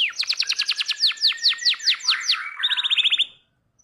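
A canary sings a fast run of high, bright down-slurred notes that quicken, then ends in a rapid buzzy trill.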